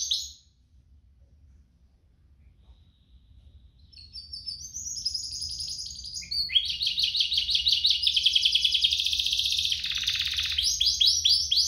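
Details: Two canaries sing in a tutoring recording for young canaries; near silence at first, faint high twittering builds after four seconds, then a loud continuous buzzy trill with repeated rapid notes.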